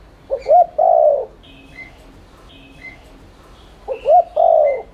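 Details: Spotted dove cooing in 'thúc liên thanh' style as a lure to get doves cooing. Two low phrases, each a short double note then a long coo, with a pause between filled by faint high whistled chirps.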